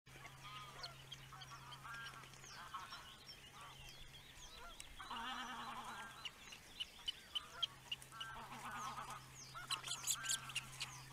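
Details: Osprey father at the nest, filmed by a nest webcam; harsh, harmonic calling bursts around 5 to 6 and 8 to 9 seconds over steady background chirping of small birds and a low constant hum.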